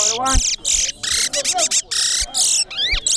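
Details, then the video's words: Large-billed seed finch (towa towa) at a bird singing competition in Corriverton; fast bursts of bright, chattering, harmonic-rich warbles and upward sweeps with short gaps, while a man counts aloud in the background. "TOWA TOWA BIRD SINGING COMPETITION"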